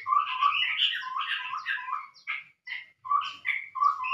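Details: Scarlet-rumped babbler lure call: rich rolling chatter of whistled notes, then short separated chirps repeated roughly every half second.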